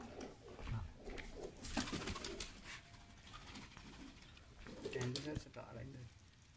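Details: Pigeons that have been dyed with colour, kept indoors, give short low coos in bursts near the start and again around the fifth second, mixed with wing flutters, clicks and faint speech.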